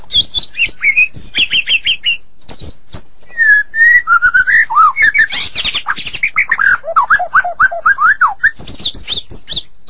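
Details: Vigorous 'gacor' singing from a Medan white-rumped shama, a varied medley of sharp high whistles, clicks, drawn-out mid notes and a descending series of quick slurred phrases near the end.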